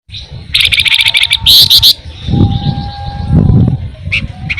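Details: Pin-striped tit-babbler (flamboyan) in full song, described as rolling and ngebren, used as a lure for songbirds: loud rapid high trills in bursts, a thin steady mid-pitched whistle line underneath, low rumbling background noise.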